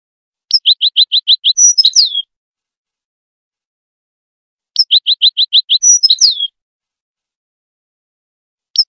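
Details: Wild goldfinch song used to school young goldfinches: a clean, high phrase of about seven quick identical notes followed by a twittering flourish, heard twice about four seconds apart, with silence between.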